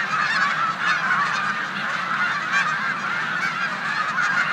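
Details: A big snow goose flock rests in a New York corn field on 14 March 2020, days before heading to the Canadian tundra, with resident Canada geese present. Constant, overlapping high-pitched honking throughout.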